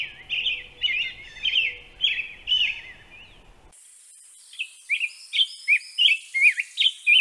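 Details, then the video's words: Song of a European robin (Erithacus rubecula): a string of quick, high, twisting notes repeated roughly once a second. Partway through, a brief gap is followed by a thin high hiss under further notes. "Bird Song - European Robin"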